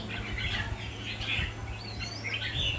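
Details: Caged red-whiskered bulbul paired against another bird in a singing contest, giving bright warbled phrases with rising and falling whistles, steady low hum underneath.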